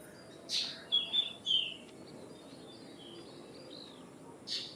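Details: Common myna (Acridotheres tristis), call.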